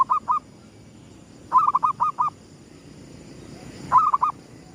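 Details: Sunrise cooing of a zebra dove in gedong mengo style used as a lure: three repeated phrases of low, pulsed coos, each a quick stutter then spaced notes, a few seconds apart, with faint background hiss.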